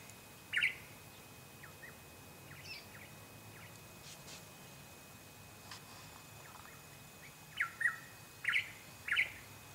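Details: Eastern yellow robin filmed in late July 2016 on the Chiltern Track, Ku-ring-gai Chase National Park, New South Wales: one loud, sharp chipped note, then after a pause four quick, emphatic piping notes. Fainter chips sound in between over quiet bush ambience.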